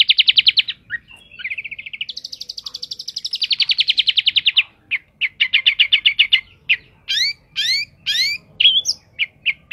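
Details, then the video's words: Varied long-tailed shrike song: rapid grating trills give way to a string of short, staccato notes, then quick upward-sweeping whistles mixed with clipped chips. "cendet gacor isiannya mewah banget"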